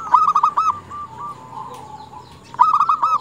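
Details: Female zebra dove calling to males, used to lure and excite males: loud bursts of rapid, stuttering coo notes around 0.1–0.7 s and again after 2.5 s, softer cooing from other doves between them.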